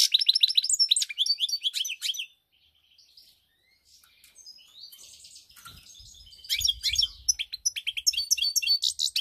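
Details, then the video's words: Goldfinch on 7 March 2021 delivering bright, fast tinkling twitters and chirp series, a short silent gap with faint thin notes, then renewed lively rhythmic chirping; a few low thumps in the background. "GOLDFINCH SONG"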